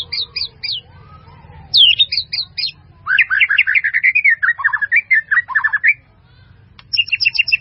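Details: White-rumped shama giving a full, varied song used for tutoring other birds: clear whistled and chattering phrases, quick repeated notes descending in runs, short pauses between bursts, with faint low hum beneath.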